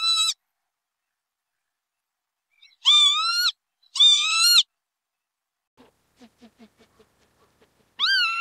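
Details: Northern lapwing giving drawn-out, nasal, wheezy calls of about half a second, each slightly rising and then dipping at the end. Four calls are heard, separated by silence, with a run of soft, quick ticking sounds between the third and fourth.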